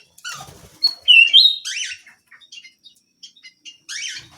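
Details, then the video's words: Small canary in lively song: a fast run of high chirps, then a bright, loud whistled note sliding slightly upward, followed by buzzy sweeps and a string of brief ticks. "BURUNG KENARI MUNGIL GACOR"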